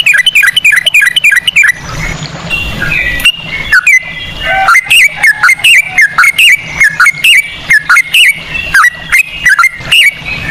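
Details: Yellow-vented bulbul in rapid ropel song in cucak rowo style, used as a lure to prompt other birds to sing: quick bursts of slurred, falling whistles, then a pause and a steady run of repeated down-slurred notes about twice a second.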